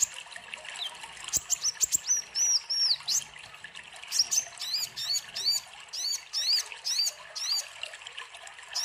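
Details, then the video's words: Sunbird called kolibri ninja, singing as a tutor for young birds: thin piercing notes that rise and drop in quick chevrons, repeated in regular groups, with soft trickling water in the background. "Pancingan kolibri ninja gacor cocok untuk masteran konin bahan"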